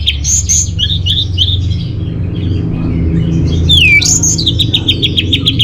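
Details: Lure and master song of the orange-headed thrush: bright whistled notes and short repeated chirps, a pause, then a loud downward-sweeping whistle followed by a fast run of chirping trill notes, low rumble underneath.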